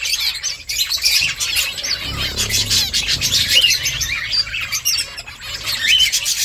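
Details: High, sharp chirps and twitters from a group of nest-building finches, continuous and overlapping, with a few brief clearer notes toward the end.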